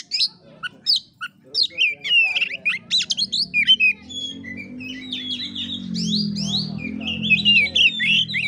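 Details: Oriental magpie-robin singing in 'tarung' fighting style, 'kura kura' style: rapid varied whistles, sharp chirps and rising slurred notes, high and densely repeated, over a low steady hum.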